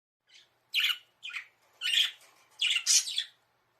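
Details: Pet budgerigars kept in a small bird house, calling as if asking the keeper to play; five short harsh chirps in quick succession, bright and scratchy, the later ones louder and doubled.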